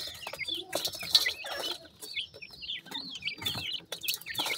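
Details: Newly hatched black partridge chicks peep in high, wavering, falling notes, several at once, among bursts of clattering noise.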